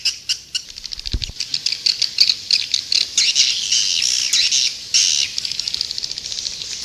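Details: Lure playback of edible-nest swiftlets, Indonesia, meant to attract birds to a nest house: fast clicking notes open into a thick, steady chorus of high twittering and buzzy chirps from many birds.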